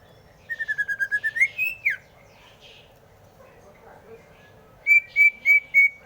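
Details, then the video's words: Greater green leafbird delivers a rapid trill of short whistles that rises and then drops sharply. After a pause come four loud, level whistled notes spaced evenly. "Suara Burung Cucak Hijau"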